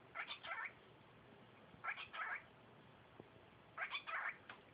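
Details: A five-month-old female pet cockatiel talking: three pairs of short, squeaky, chattering bursts about two seconds apart, over a quiet background.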